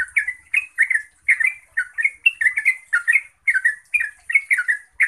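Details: Yellow-vented bulbul pouring out a loud, bubbly song to prompt other bulbuls to answer; short rising and falling gurgles follow one another in quick bursts with tiny breaks.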